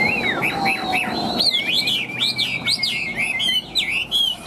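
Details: Tame caged Chinese hwamei from Vietnam, described as having a very loud, ringing voice, sings a steady run of bright slurred whistles that rise and fall in quick repeated loops, later shifting into faster, higher, varied phrases.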